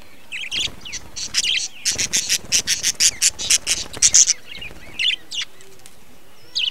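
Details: Budgerigar breeding colony, 2020, many birds calling: a steady stream of sharp, clipped chirps about twice a second, layered with softer warbling chatter from other birds.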